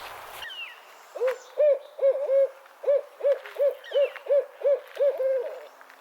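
A Barred Owl gives its 'who cooks for you' hooting: about a dozen rich, mid-pitched hoots in two quick phrases, the last one drawn out.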